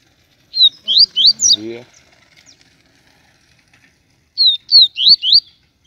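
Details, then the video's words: Papa-capim baiano from Aracaju, Sergipe, giving bursts of rapid rising whistled notes, four at a time, separated by a pause with brief low rattling and wing-flap-like sounds. "Papacapim baiano TUI TUI SHOW,esse passa canto"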